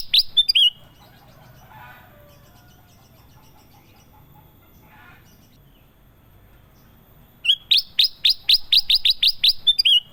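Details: Kutilang emas (golden bulbul) in lively song. A burst of sharp chirps opens the recording, then a long quiet stretch with faint murmurs, then a fast run of about a dozen crisp, repeated downslurred notes near the end.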